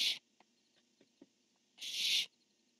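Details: Male and female barn owls exchanging calls, 10-1-15: a clipped screech at the start, faint soft ticks and taps, then one full rasping half-second screech, hoarse and noisy, against a quiet background.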